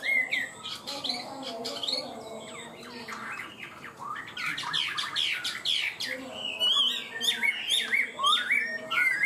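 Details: Caged Chinese hwamei, kept for high, quick-starting song; short twittering notes, a burst of rapid clicking chatter, then bright whistled phrases toward the end.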